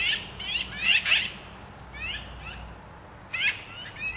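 Black-billed magpies give harsh, raspy chattering bursts, some doubled, repeated irregularly every half second to a second over a quiet background.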